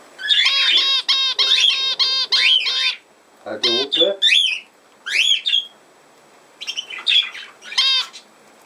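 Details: Budgerigar calling indoors: loud bursts of harsh, buzzy notes with rising and falling sweeps, delivered in quick clusters for about three seconds, then shorter scattered squawky calls after brief pauses.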